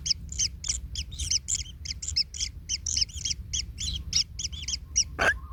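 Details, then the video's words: Nestling kingfishers, one trodden on by its parent and hurt: rapid raspy chirps tumble over each other in a quick chorus, with one sharp knock near the end. "Anak Tengkek Terinjak Induknya Hingga Kesakitan - Baby Kingfisher bird nest"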